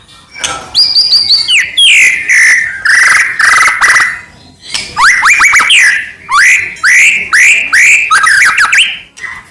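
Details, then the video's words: White-rumped shama song for provoking other shamas: loud, varied phrases of whistles, downward and upward slurs and harsh chatter, coming in bursts separated by short pauses. "murai batu gacor AMPUH buat PANCINGAN murai batu agar bunyi"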